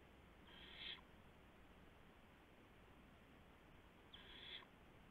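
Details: Owl at 2:51 AM, April 2, 2016, carrying a gopher to its mate on a live camera: two raspy half-second screeches roughly three seconds apart against a quiet humming background.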